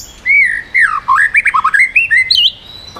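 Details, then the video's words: White-rumped shama singing the 'yến reo' style, rapidly changing phrases to strongly provoke other birds: a loud fluid run of warbled whistles that dip and climb, broken into quick linked notes, closing high. "chòe lửa hót giọng yến reo,bắn dây đảo giọng đánh đuôi kích chim cực mạnh"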